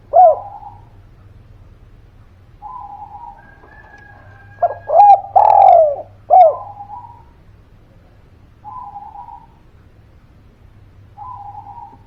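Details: Spotted dove, known locally as derkuku or tekukur, calling as a lure for reluctant birds: a loud burst of throaty coos midway, with softer repeated cooing phrases before and after and a low background hum.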